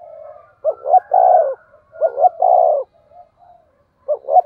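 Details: Spotted dove giving the standard 'thổ sấm' (thunder-voice) cooing style, used to stimulate other doves: low, hollow, rounded coo phrases of several notes, each ending in a longer drawn-out coo, repeated about every one and a half seconds against silence.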